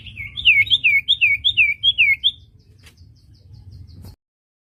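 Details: Common iora song used for training songbirds: a quick run of about eight repeated high slurred whistled notes over two seconds, followed by faint ticking and quiet background.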